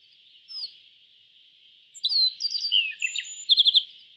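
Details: Yellow bunting: a lone high note, a pause, then a lively run of thin, sharp chirps and downslurs ending in a fast trill of four or five notes. A continuous high insect-like hum sounds throughout.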